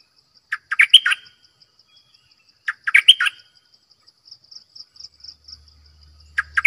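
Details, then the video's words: Cream-vented Bulbul kept as a decoy bird: short bubbly phrases of four or five quick chattering notes, three bursts about two seconds apart, over a steady high insect trill. "เสียงนกดอกแตงEp.112 Birds sounds"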